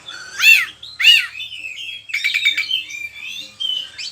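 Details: An oriental magpie-robin (kacer) delivering varied song meant to prompt and tutor other kacer; two loud arched whistled notes, then a rapid stuttering trill and ringing whistles, with clean quiet background.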